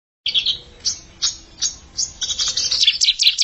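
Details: Bar-winged prinia, a young untrained bird challenging an established rival, gives sharp high chirps at irregular intervals that run into a fast, dense twittering burst near the end.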